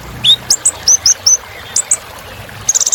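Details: Kolibri Ninja sunbird singing a luxurious filler song: a string of short, very high rising and falling whistled chirps, ending in a quick buzzy trill.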